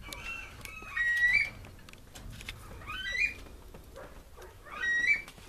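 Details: Himalayan monal kept in an aviary calls three times, each a loud upward-sweeping whistle with a bright peak, spaced roughly two seconds apart, over low background rustle.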